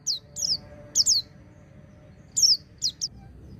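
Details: White-eye song for training caged birds: short bursts of high, sharply falling whistled notes in groups of two or three, separated by pauses, over faint low background noise.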